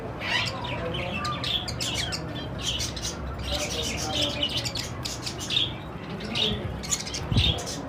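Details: A flock of budgerigars chatters with rapid, scratchy warbles and sharp chirps that overlap continuously.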